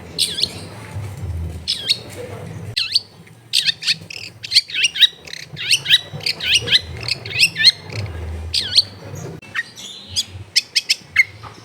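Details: Energetic long-tailed shrike song meant to coax lazy shrikes into singing, recorded at home in a densely populated area: fast cascades of steep downslurred whistles and sharp chips, nearly continuous, over low rumble.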